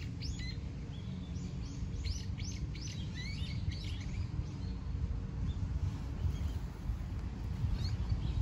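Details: Birdsong of quick, high, sweeping chirps over a steady low rumble of outdoor nature noise, recorded in Japan while a Shih Tzu dog is walked.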